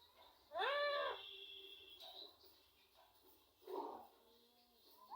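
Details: Rose-ringed parakeet, a pet ringneck, imitating speech and saying names: one loud nasal vowel-like word rising then falling, followed by a quieter second word-like sound after a pause.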